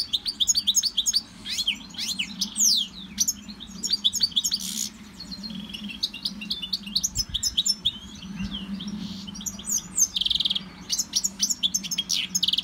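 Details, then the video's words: European goldfinch kept in a Victorian brass cage during CD song training sings a long, dense, tinkling twitter of rapid high chirps, slurred whistles and short buzzy trills, almost without pause, above a steady low indoor hum. "Goldfinch singing in Victorian brass cage"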